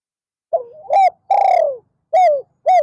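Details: Spotted dove kept as a decoy to lure wild doves, afternoon session: a wavering opening note, then a long loud descending coo, followed by two short clipped coos, very close and distorted.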